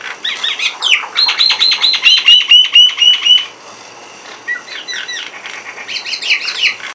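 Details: A couple of mynas sitting on a window grill chatter in a rapid, varied mix of harsh notes and bright whistled phrases, including a fast repeated series of clear whistles.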